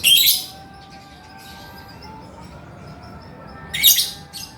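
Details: Male lovebird: a shrill, scratchy burst of chatter opens, then a long near-silent stretch with a soft hum and faint squeaks, and a second harsh high outburst near the end.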